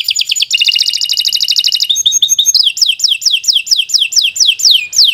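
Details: Canary in long 'gacor' song meant as a master recording for young birds: a dense rapid trill followed by evenly spaced, sharply falling whistled notes roughly three per second.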